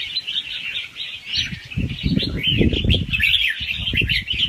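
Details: Red-whiskered bulbul youngster, wild-caught, singing softly in rapid rounds with doubled notes for stimulating other birds: slurred, rising and falling chirps in a continuous chatter, partly masked by loud low rumbling noise.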